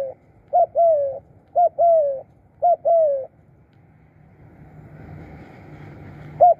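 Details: Decoy spotted dove gives three quick coo phrases, each a short note then a longer falling hum, about one per second. After a pause, broad hissing noise rises before one more coo.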